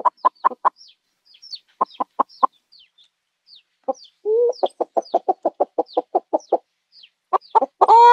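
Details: Farm chickens give rapid clucks in groups, then a drawn-out rising call. A long run of evenly spaced clucks follows, and the clip ends with a loud, strained squawk. Faint high chirps sound behind them.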